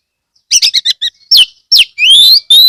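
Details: Kept Oriental magpie-robin in Kebumen, Central Java, singing loudly to lure others into singing: a quick run of clipped chattering notes, two down-slurred whistles, then long, clear, rising whistled notes.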